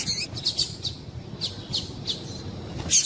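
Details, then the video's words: Female double-collared seedeater calling, used to excite and stimulate males to sing: short, high chips, about seven or eight in three seconds at an uneven pace, over a faint low hum. "Piado de Fêmea de Coleiro para Esquentar Coleiro"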